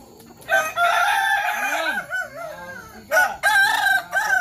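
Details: Kukuak Balenggek rooster crowing at a practice crowing contest in Sawah Lunto: a long, wavering, strained multi-part crow, a pause with a low voice, then another wavering crow burst starting after three seconds.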